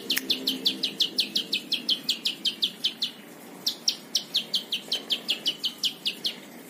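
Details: Plain prinia song kept as a training model for other cage birds: fast series of bright, down-slurred notes, about three per second, running in two bursts with a short pause between.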